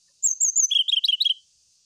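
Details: Brown-chested jungle flycatcher song seeking a rival: one quick, sweet phrase of high whistled notes that steps down into a rapid warbling flourish, lasting just over a second, otherwise quiet.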